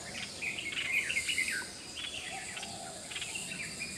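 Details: Red-whiskered bulbul recorded at Tai Po on 21 April 2018: a burst of quick, bright chirping notes in the first second and a half, then scattered softer notes, over a steady high hiss of insects.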